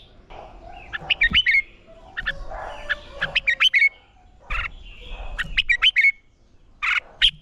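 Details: Red-whiskered bulbul singing as training for song competitions: short bursts of quick, clipped whistled notes, some sliding, delivered in separate phrases about every two seconds, with soft murmuring noise between them.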